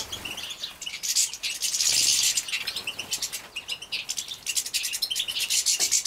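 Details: Young European goldfinches from a breeding aviary in Poland, 2017, being fed: a steady stream of rapid, high, squeaky chirps with a long hissing begging surge near the middle and wing rustles.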